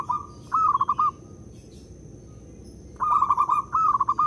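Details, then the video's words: Zebra dove (local perkutut) cooing as a decoy call: two short phrases of fast, rolling, pulsed coos with a sustained tail, separated by about two seconds of quiet hiss. "Pekrutut lokal jadi cepat manggung dengar perkutut ini bunyi (PERKUTUT PIKAT)"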